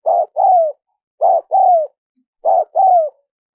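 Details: Three paired coos from a spotted dove, recorded for use in luring wild doves. Each pair is a brief hoot followed by a drawn-out, gently descending coo, with short pauses between pairs.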